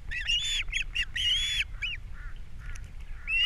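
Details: ['Captiva osprey pair on 3 April 2022, the male bringing fish in the morning and the female feeding chicks: piercing, drawn-out squeals mixed with short chirps, then softer notes and a rising squeal at the end.']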